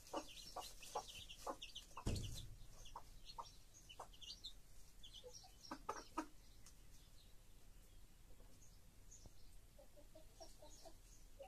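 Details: Chicken hen with her chicks: a run of soft clucks and high chick peeps in the first half, a brief thump near two seconds, then quieter scattered peeps.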